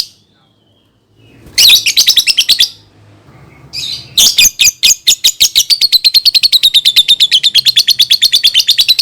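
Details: Lovebird song for teaching young birds to sing: harsh chattering bursts that break into a long, rapid, even trill of raspy notes, several per second, slightly falling in pitch.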